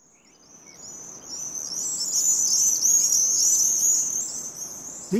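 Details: A screeching gang of Common swifts dashes through the sky in spring, giving a shrill, thin, high-pitched chorus of overlapping calls in a rapid buzzy stream that swells and fades as they sweep past.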